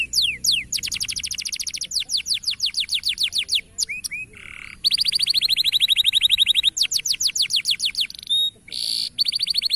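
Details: Local canary song for training birds to sing: rapid high descending sweeps, short chipped notes, a brief buzz, then long fast trills and further sweeping series.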